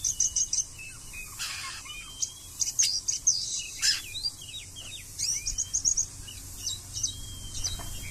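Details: Oriental magpie-robin (kacer) singing in the konslet style: a dense, rapid run of high, sharp chirps and short whistled slurs, some rising and some falling, with brief broadband rustles and a low steady hum behind.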